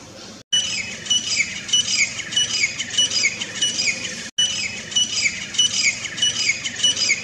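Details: Grey francolins singing in a forest: harsh, high, squeaky phrases repeated rapidly in a steady chorus about once or twice a second, broken by two abrupt silent gaps.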